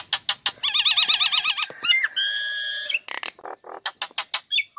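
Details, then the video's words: Female Nias hill myna, caged, singing loudly right after its cage cover is opened, used as a lure to get lazy birds singing; sharp clicks, then looping warbled whistles with rich overtones, a long buzzy harmonic note, and a run of clipped notes. "Jalak Nias Betina Buka Krodong Langsung Gacor Cocok Untuk Pancingan Burung Malas"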